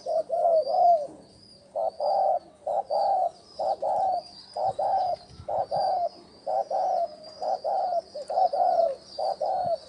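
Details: Spotted dove lure call for wild doves: loud low coos in paired phrases, separated by short pauses, with a soft continuous high insect-like whine.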